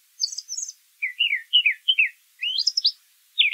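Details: Wild brown thrasher song made of varied paired phrases: high sweeping notes, then lower downslurred doublets, then rising upsweeps, each phrase given twice before changing, with no other sounds.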